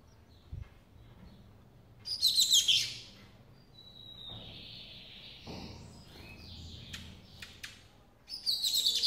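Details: Captive brown-plumaged lined seedeater hatched in April 2018, recorded in a follow-up of its song development: two dense, buzzy, twittering high bursts with a thin, drawn-out whistle between them and a few short clicks.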